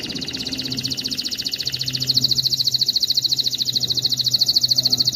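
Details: Canary song for training young males and stimulating females, a steady high buzzy trill of rapid pulses over a low background hum.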